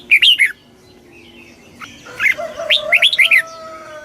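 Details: Red-whiskered bulbul giving a very fast 'kích bổi' stimulating song: a short burst of bright warbled notes, then after a pause a run of quick slurred, rising and falling phrases, over faint steady background tones.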